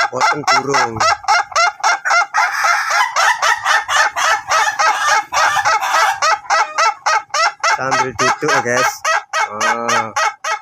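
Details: Ayam Ketawa (laughing chicken) of the duration type, a breed being trained to crow long, gives a fast run of rapid, regular harsh syllables, about three or four a second. The sound is dense and overlapping, with deeper drawn-out notes near the start and end.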